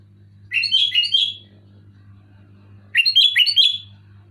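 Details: Sooty-headed bulbul singing loud and clear, played to stir reluctant bulbuls into song; two rich bubbling phrases of several quick warbled whistle notes each, about two and a half seconds apart, with a low steady hum underneath.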